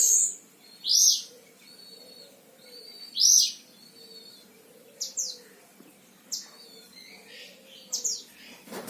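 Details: Sragen, Central Java: a caged oriental white-eye of the Himalaya variety sings loud high piercing chirps at intervals, then brief steep downslurred whistles, ending with a bump of noise.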